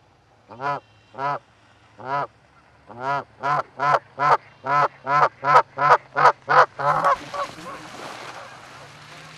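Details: A pair of Canada geese at an osprey nest in Charlo, Montana, recorded 4-7-18 by a live camera: a rapid run of about fifteen nasal honks that speeds up and grows louder, ending in a burst of wind or rustling.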